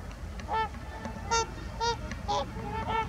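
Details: Trumpeter swans at Heber Springs, Arkansas: clear, resonant bugled honks about every half second, single or paired, against faint low-pitched background noise.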